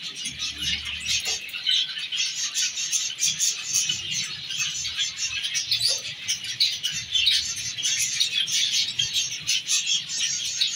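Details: A half-orange zebra finch pair, an exhibition-size male and female, chatter constantly, their short, nasal, high chirps overlapping in a busy stream; zebra finch calls.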